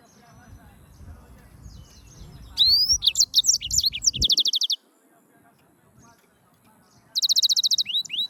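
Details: Yellow-fronted canary song bursts: a rising whistle and quick chirps leading into a rapid buzzy trill, a pause of near silence, then another fast trill ending in upward-swept notes.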